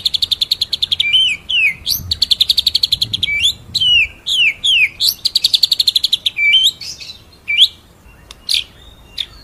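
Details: White-rumped shama, locally murai batu, singing masteran material in ngerol-nembak fashion: long trills of rapid high repeated notes alternating with sharp upswept whistles, thinning to isolated squeaks near the end.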